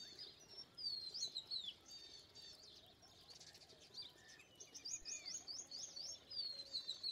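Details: Liquid whistles and sharp chirps from Indian pied myna, loud bursts separated by quieter twittering, ending in a quick series of rising notes.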